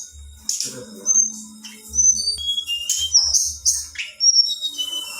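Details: Female Black-winged flycatcher-shrike singing to provoke males: high, thin whistled notes and short slurred chirps, some rising and some falling, come in quick broken phrases. Faint low hum sits underneath.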